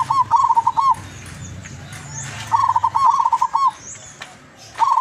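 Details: Zebra dove, a wild-caught local bird from Tuban, East Java, singing loudly with a long melodious voice; rapid bubbly cooing phrases of about half a second, repeated in three bursts, with faint background chirps.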